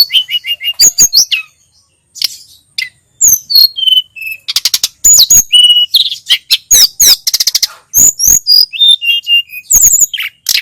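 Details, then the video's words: Sunda robin (tledekan gunung, sulingan gunung) masteran song: sharp clicking notes and fast bursts interleaved with short whistles and trills in an energetic, choppy stream with brief gaps. "Masteran burung tledekan gunung || burung sulingan gunung"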